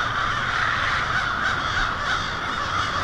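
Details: Winter night roost of a vast flock of American crows in Lansing, Michigan, February 1, 2016; loud overlapping caws merge into a constant clamor.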